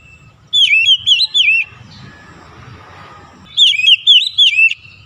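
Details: Oriental magpie-robin (kacer) singing in morning sunlight: two bursts of loud, clear whistled notes with looping, slurred shapes, about four notes per burst, separated by a two-second quiet pause with faint background hiss.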